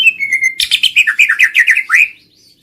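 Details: White-rumped shama song used to trigger singing and mating: a steady whistle followed by a rapid series of about a dozen chattering, slightly rising notes.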